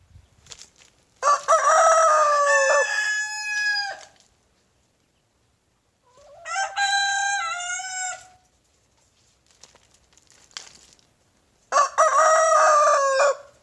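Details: Morning crowing by a young big brown rooster in a backyard, with a Silkie rooster chasing him whenever he crows; three strong, rich crows several seconds apart, each held then dropping at the end, with faint rustling between.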